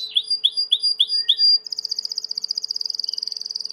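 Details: Training song of a Timbrado canary: five repeated falling chirps, each with a thin high note, then a fast high even trill that speeds up slightly through the last two seconds.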